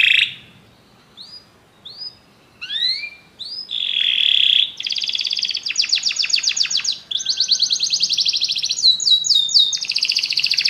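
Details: Canary chorus answering music: a few separate rising whistles and short upslurs after a pause, then a loud steady roll, then long rapid buzzy trills that switch in pitch and speed.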